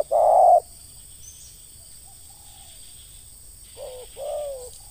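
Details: Ngeruk-style call of a spotted dove, linked to lure trapping: a loud short coo at the start, a long quiet pause with faint traces, then two softer wavering coo notes near the end.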